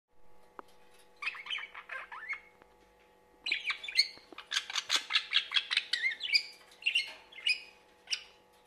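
A budgerigar warbles in rapid, scratchy chirps and squawks, with steady background hum.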